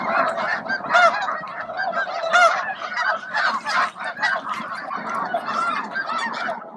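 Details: Midday gathering of thousands of snow geese at Bosque del Apache, feeding and grooming; a crowded honking chorus with several sharp, clear honks repeated over the rolling background of the flock.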